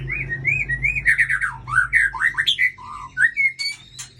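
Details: White-rumped shama of the Aceh type singing a varied run of clear whistled phrases. Rising and falling slurred notes give way to rapid, sharper chips and high trills, over a constant low electrical hum.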